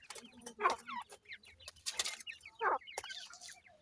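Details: Grey francolin chicks calling their mother: loud rising and falling chirps around the middle, mixed with faint scattered peeps and brief scratchy bursts.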